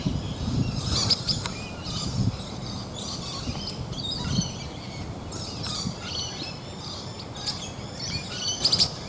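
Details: In the morning on 15 June 2024 on the Toowoomba Range, one of five migrating Swift parrots, probably an adult male, gives short, high, metallic chirps in scattered bursts over a steady hiss and low rumble.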